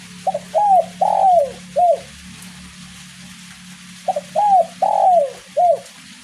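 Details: In light drizzle, a spotted dove repeats its 'kuk 1' song twice: each phrase has short opening notes, two long descending coos and a clipped closing coo, with a pause between phrases and a low continuous hum beneath.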